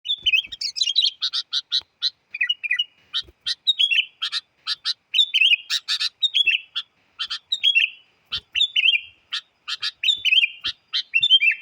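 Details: Sooty-headed bulbul lure song, described as very lively and used to challenge wild birds; rapid bursts of sharp chirps mixed with short bubbly falling whistles, nearly continuous for over eleven seconds, with brief pauses.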